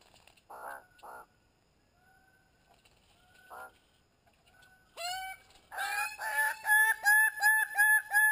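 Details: Greater bird-of-paradise, Paradisaea apoda: a few paired harsh calls early, then from midway a loud run of rich, harmonic, downslurred notes repeated about three times a second, building in strength.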